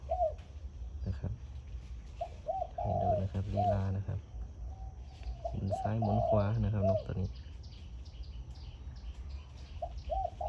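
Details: Caged zebra dove decoy bird cooing in the morning: short rounded coos in small bursts at the start, middle and end, with a man talking over the middle section and steady low background rumble.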